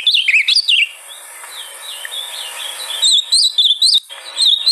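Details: Ultramarine grosbeak singing, played to encourage a caged bird to sing: a quick whistled phrase, a quieter hissy pause with faint notes, then another bright run of looping, warbled whistles.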